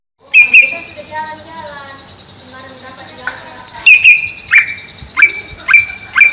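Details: Pond-side caged greater green leafbird singing loud clipped downslurred notes, repeated about every half second in its second half, with faint lower warbling sounds in between.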